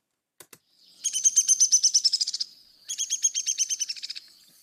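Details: A Downy Woodpecker, a small resident woodpecker, gives its song: two quick sharp ticks, then two rapid whinnies of high, sharp notes that slow and fall slightly over about one and a half seconds each.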